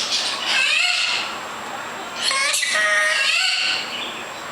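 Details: Talking pet bird repeating its own name as a song: two drawn-out, raspy, voice-like phrases with clear tonal bands, the second rising sharply. Recording quality is low.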